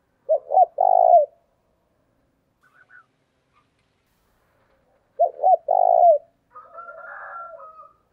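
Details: Spotted dove decoy call meant to lure other doves: two phrases about five seconds apart, each a pair of quick hooked notes followed by a longer, drawn-out coo that drops at the end; a faint higher bird twitter follows.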